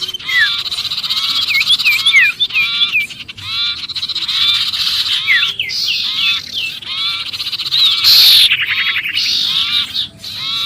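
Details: Sirpu giving a noisy, agitated distress call as if trapped, used to lure other birds: rapid harsh nasal notes with stacked overtones, about four a second, mixed with short whistled upward and downward slides and a brief hiss near the end.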